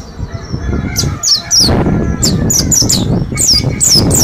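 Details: Caged group of mountain white-eyes from Slamet learning ngalas for ten days: bright descending chirps in quick pairs and triplets, with rustling and low rumble underneath.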